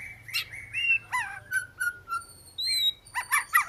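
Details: Oriental magpie-robin song of varied clear whistles, some sliding down sharply, others flat and sustained, ending in a loud jumbled flourish.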